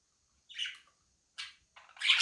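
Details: A pet budgerigar that wants to be left in peace while two other budgies pester it gives harsh, scratchy chirps in three short bursts, the last loudest.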